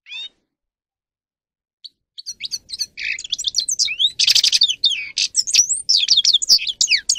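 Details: Singing grey-crowned goldfinch meant to motivate other birds to sing: a lone whistle, a pause, then a building, continuous stream of rapid high twitters, slurred whistles and buzzy trills.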